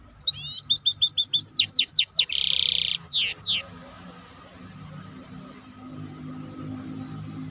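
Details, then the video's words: Maestro bird singing a varied phrase: a rapid run of short rising whistles, then a broad buzzy note and two quick descending sweeps, followed by quiet with a low steady hum in the background. "احلى تغريد مباشر لطائر المايسترو"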